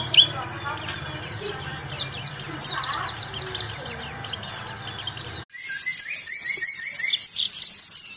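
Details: Ngalas-style trigger song of an oriental white-eye, meant for other birds to learn from. Quick high descending chirps run continuously over a low droning hum. After an abrupt cut, a cleaner stretch continues with dense, slightly lower twittering.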